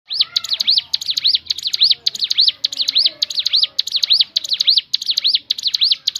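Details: Crescent-chested babbler song used to lure other birds into singing: rapid arched whistled notes repeated about twice a second in a steady, high-pitched chain.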